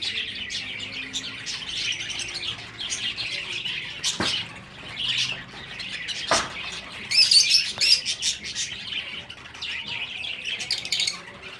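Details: High twittering of breeding finches, many short chirps overlapping in a steady stream. Two sharp knocks stand out partway through, and a louder burst of chirping follows near the middle.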